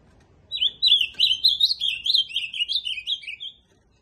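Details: Ultramarine grosbeak delivering a sustained, rich warble of about three seconds. The run of slurred rising and falling notes ends in a softer descending note, with a faint low hum behind.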